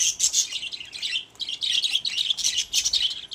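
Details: Pet budgies in their cage produce a dense, nonstop stream of high squeaky chirps and whistled notes, layered and overlapping.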